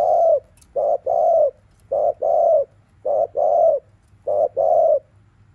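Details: Afternoon spotted dove cooing thúc liu riu: four strong two-part phrases about every second, each a short clipped note followed by a longer, rounded, slightly falling coo, over a low steady hum.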